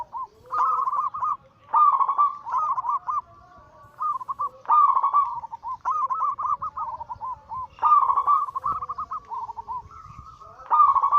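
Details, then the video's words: Zebra dove, local and cemani katuranggan silver stock, in anggungan song used as a lure and as therapy for silent birds. Continuous trilled cooing phrases overlap almost without pause, several voices layered. "Masteran Pancingan harian burung perkutut Anggungan paling ampuh langsung emosi gacor"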